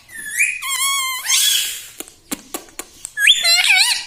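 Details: Pet parrot indoors giving a rising whistled note and a long flat harmonic syllable, a few sharp clicks, then a final wavering voice-like phrase.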